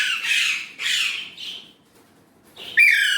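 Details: Indian ringneck parrot talking in Urdu/Hindi: two harsh, rasping syllables falling in pitch, a short pause, then a sharper rising squawk at the end, recorded indoors.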